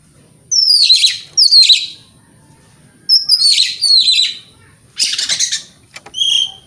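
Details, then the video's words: Oriental magpie-robin in morning song used to provoke rival birds to answer: four loud phrases of swooping, descending whistles and scratchy twitters separated by short pauses, then a few thin high notes, over a quiet low hum. "Pancingan Kacer Gacor Pagi Hari Bikin Lawan AUTO NYAUT!!!"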